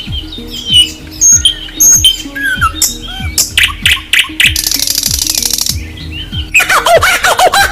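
Nightingale song of varied phrases: pure rising and falling whistles, a fast buzzy rattle mid-phrase and harsh chattering notes, over steady background music with a thumping beat.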